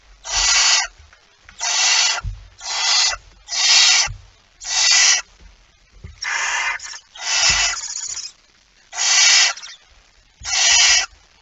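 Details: Barn owl at its nest with a mouse as prey, recorded just after midnight on 23 September 2019; harsh, broadband hissing bursts under a second long, about ten in a row at uneven spacing, with faint low thumps between.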